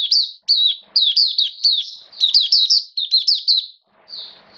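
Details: Oriental white-eye, a caged hobby bird in rainy weather, delivering a lively run of clear, high, downslurred chirps in rapid succession, ending with a softer buzzy note.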